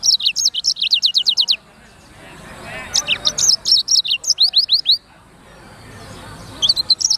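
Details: Black-throated canary (sanger) giving a lively chattering song: rapid runs of high, slurred chirps, about a dozen in each burst. There is a pause with faint background in the middle, then another quick run and a brief closing phrase.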